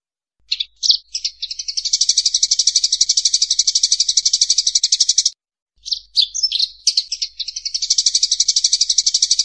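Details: Clear Eurasian tree sparrow fighting call used as training material for songbirds such as magpie robins: scattered chirps build into a long, regular, rapid chatter of harsh high notes, break off for half a second, then resume after a few jumbled chirps.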